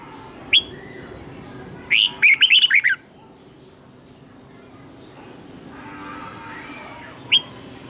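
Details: Red-whiskered bulbul morning song, used as a lure-bird voice for training caged bulbuls. A lone sharp note is followed by a rapid run of five or six bright, twisting whistles about halfway through. A single clipped note closes the clip over faint hum.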